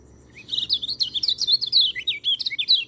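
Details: Lively white-eye song to encourage birds that rarely sing, a dense unbroken flow of high warbled and whistled notes swooping up and down throughout.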